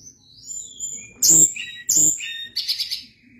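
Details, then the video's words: Sunda blue robin in energetic, long rolling song: soft high whistles, then two loud bursts of shrill descending notes, ending in a fast buzzy trill. "Ocehan Tledekan Gunung gacor Ngeri Bikin Tledekan Apapun ikut Gacor Ngerol Panjang"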